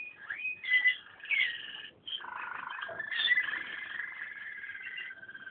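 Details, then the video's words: Waterslager canary delivers a continuous song of gurgling, water-like rolls and long steady warbled tones, with a short pause near the middle. "waterslager song"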